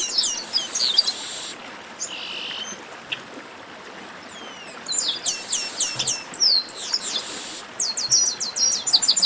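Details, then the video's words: Chestnut-capped blackbird in 'baderna' song, alternating bursts of fast, high falling notes with broad buzzy hisses, a pause with faint sliding whistles, then renewed rapid chattering phrases. "Baderna de Garibaldi"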